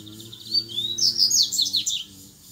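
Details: Double-collared seedeater in the wild, singing the grego song style against rival males. A thin upslurred whistle leads into a rapid, loud jumble of high chirps lasting about a second, with a low droning hum underneath.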